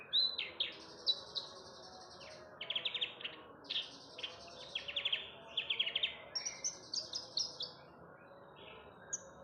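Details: Javan bush lark singing to draw other birds into song: bursts of high chirps and rapid trilled phrases separated by short pauses, with faint background noise.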